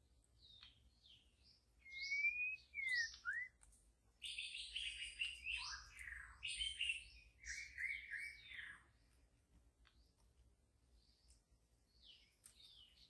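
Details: White-rumped shama, a wild bird in the deep forest, singing a varied phrase of clear whistles, slurred rising and falling notes and rich warbled bursts, then falling quiet with faint high chips after about nine seconds.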